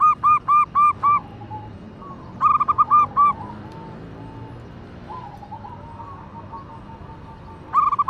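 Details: A female local zebra dove calls a male with groups of four to five crisp, ringing coos. Quiet gaps fall between the groups, with a soft drawn-out tone heard faintly in between.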